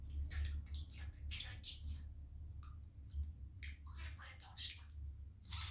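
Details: Pet budgerigar, a male in high spirits on a sunny day, talking as he plays with his household; speech-like mumbled syllables mixed with scratchy chirps in short phrases, continuous low hum behind.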